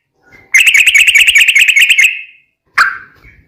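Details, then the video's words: Long ropel trill of a sooty-headed bulbul in fighting-style song, a master recording for caged birds: fast even rattle of whistled pulses lasting about one and a half seconds, then one sharp note. "Trucukan gacor tarung ROPEL panjang, masteran burung macet bunyi dan liaran pasti nyaut"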